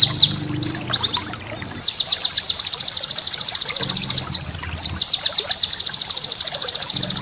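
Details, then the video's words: White-eye song used as master recording for training cage birds: high, thin chirps sliding downward, then long rapid trills of sharp repeated notes in fast bursts, with a faint low hum between phrases. "masteran burung pleci"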